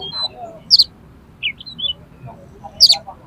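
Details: Highly aroused fighting oriental magpie-robin song meant to make rival magpie-robins fan their tails: sparse sharp high buzzy notes and short slurred whistles separated by pauses over a faint low rumble.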